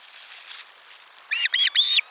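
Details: Osprey at nest 4 on 12 July 2022, lunchtime fish delivery: after a quiet start, a run of four sharp, arched whistled notes, the last one longer and slurred.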